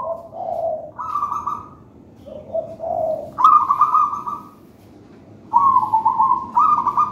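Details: Lively singing zebra dove, a local wild-type bird from a raja banana nest line. Soft low coos lead into louder, buzzy rolling trills, repeated in several phrases with short pauses between them.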